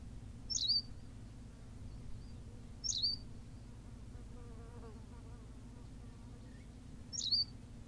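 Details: A male Berthelot's pipit on La Gomera in the Canary Islands gives three brief, sharp, high chirps spaced a couple of seconds apart, over a steady low hum and faint background noise.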